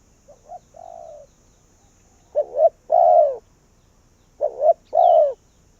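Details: Decoy spotted dove calling wild doves toward its cage, Vietnam: soft coo notes, then two full phrases about two seconds apart, each a stuttered double coo and a drawn-out falling coo. A faint high steady tone runs in the background.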